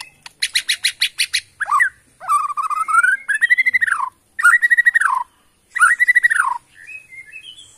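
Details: Caged white-rumped shama of Kalimantan forest origin, Borneo, opening with a fast run of sharp repeated notes, then loud arched whistled phrases with buzzy trills, separated by short pauses, and a soft high twitter at the end.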